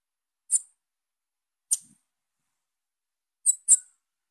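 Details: A young female Bananaquit calling gives four thin, very high, short sharp notes, spaced irregularly with a quick pair at the end; otherwise quiet.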